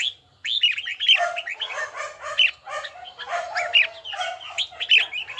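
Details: Red-whiskered bulbul in voice training, bell-tone style. After a brief silence comes a busy, continuous warble of whistles with rougher, fuller notes underneath and piercing high accents every second or so.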